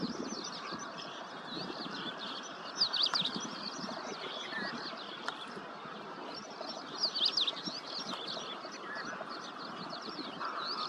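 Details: Feeding ashy-crowned sparrow-larks give a steady stream of high, thin, overlapping chirps and twitters, with brief louder bursts and a soft background hum.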